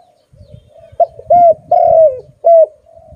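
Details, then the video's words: A pet dove cooing loudly, a short sharp note followed by three drawn-out coos that dip at their ends, over a low rumbling background noise. "My pet name Arimix is a good dove and it sound very loud"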